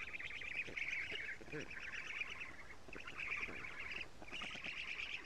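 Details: Estonia black stork nest, 07:47 on 14 June 2017, the female feeding her nestlings many lampreys. Four clustered runs of grating, rapidly pulsed chatter separated by brief gaps, with some softer low clicks between.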